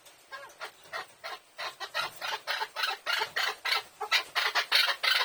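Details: Chukar partridge calling in the morning: a loud, insistent run of harsh clucking chuk notes, about three per second, building steadily in volume across the clip.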